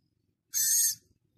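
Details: Six-day-old Philippine scops owl chick, captive at Prague Zoo, recorded on Thursday 13 August: a single loud, shrill, hissing screech lasting about half a second, high-pitched and steady, in an otherwise quiet room.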